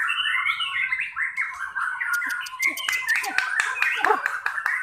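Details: White-rumped shama singing in a simulated pastol-class contest: a rich, busy medley of whistles and chattering notes, broken by sharp clicks and some low knocks in the background.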